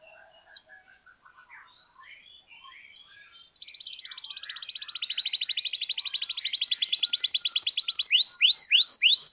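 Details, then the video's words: Canary in long 'gacor' singing, played to rouse silent canaries into song: a few faint scattered chirps, then a loud fast buzzy trill of rapid high notes, ending in repeated descending whistled sweeps. "KENARI GACOR PANJANG, AMPUH NAIKKAN EMOSI KENARI MACET AGAR CEPAT BUNYI"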